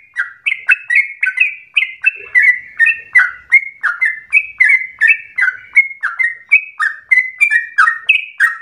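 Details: Yellow-vented bulbul (Pycnonotus goiavier) song, used as a lure to make other bulbuls sing long, continuous runs: a rapid, bubbly run of short liquid notes, about three per second, steady and continuous with no other sounds.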